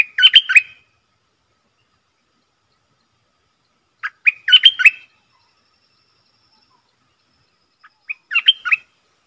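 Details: Caged Streak-eared bulbul used as a decoy to call in wild birds and train young ones sings three short, bubbly, chattering phrases about four seconds apart, with silence between.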